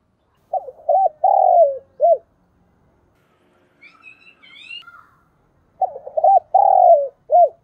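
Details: Decoy spotted dove cooing to lure others, thúc bổi style. Two full phrases are heard, each made of stuttering short notes, a long falling coo and a clipped closing hoot. A faint higher bird chirps between them.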